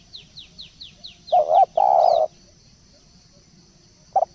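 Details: Spotted dove decoy call used as a lure: two drawn-out low coos in quick succession, then a lone short coo after a pause, preceded by a run of thin, high descending chirps from another bird over a faint low hum.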